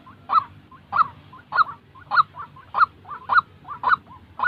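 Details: Trapping decoy-training recording of a real white-breasted waterhen: loud harsh notes roughly every half second, each followed by a short softer bubbling note, slightly uneven rhythm.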